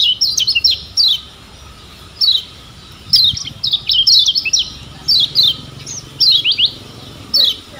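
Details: Lombok yellow kecial (lemon-bellied white-eye) used as a tutor for making birds sing; short separated bursts of high, quick downslurred chirps and twittering notes, spaced irregularly through the clip.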